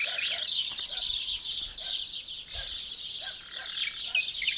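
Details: Early-morning birdsong in the countryside village of Douar Saidia, Benslimane province, Morocco: a dense, continuous chorus of high chirps and twitters with repeated lower hollow notes beneath.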